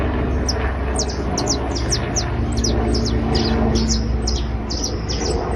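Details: Trilling criollo basto canary: a fast stream of bright, high, downward-slurred notes, about four per second, with a steady low hum beneath.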